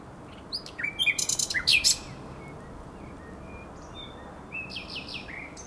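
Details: Nocturnal April song of a common nightingale by the Żerań Canal, recorded 23–24 April 2022: a loud phrase of buzzy, rattling pulses and sharp notes, a pause, then a softer, lower-level burst of chirps.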